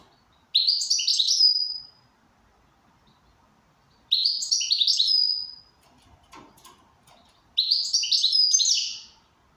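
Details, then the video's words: Goldfinch in good condition singing three bright twittering bursts, each about a second long, made of quick high tumbling notes ending in a drawn-out tinkling trill, with short silent gaps between them and faint clicks in the background. "Switty goldfinch in good condition."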